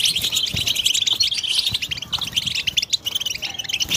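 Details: European goldfinch song to stimulate other goldfinches, hurried high chirping and twittering in dense bursts, with a brief thinner pause near the end before resuming.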